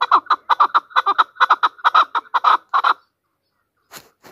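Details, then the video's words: Hunter chukar partridge of Pakistan giving a rapid, loud run of paired clucking notes for three seconds, then silence broken by one short faint sound. "chakor ki awaz | Hunter chukar voices | Hunter Chukar sound"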